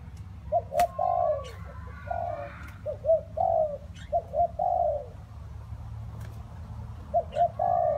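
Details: Spotted dove in rainy, windy weather giving short groups of low, breathy coos with pauses between, alongside faint higher chirps, sharp clicks and a low rumbling background.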